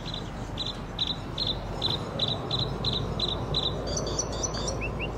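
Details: Red-spotted bluethroat (Luscinia svecica svecica) song: a steady run of sharp, high ticking notes, about two or three a second, then varied higher twitters and short rising whistles over a low background rumble.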